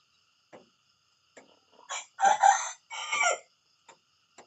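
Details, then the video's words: A rooster in the morning gives a rough, broken crow in three loud bursts over about one and a half seconds, framed by scattered soft clicks and knocks. "the sound of a rooster in the morning"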